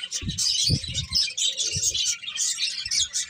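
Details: Rapid high chirps from a group of birds pour out continuously, accompanied by repeated low knocking sounds.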